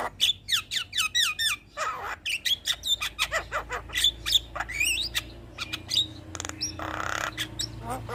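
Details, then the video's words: Javan myna singing continuously as a master recording for other birds, a dense chatter of whistled slurs, short chips and a few harsh noisy squawks. "Burung Jalak Kebo Gacor Mental Juara Tetap Bunyi Siang Malam Pas Buat Masteran dan Pancingan"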